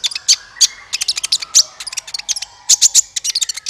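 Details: Sunbird calls played as a trapping lure: rapid clusters of thin, high chirps and clicks, uneven in timing, about 47 bursts a minute, with faint background hiss.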